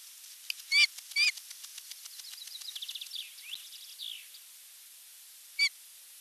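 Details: Osprey at its nest on 8 June 2023, visiting its sleepy mate: two loud, clear whistled notes, followed by a soft, rapid twittering chatter, then one more whistle after a pause, with steady background hiss.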